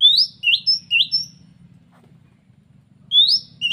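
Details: Oriental magpie-robin, one of three wild birds that came in at once; loud, clear upslurred whistles in a quick run, a silent gap of about a second and a half, then more rising whistles, over a steady low hum.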